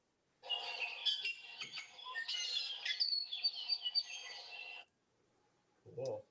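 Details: ʻIʻiwi giving a dense, rapid run of squeaky whistles and creaky notes for about four seconds, followed by a brief low thump; its calls can resemble and copy those of the Hawaiʻi ʻamakihi.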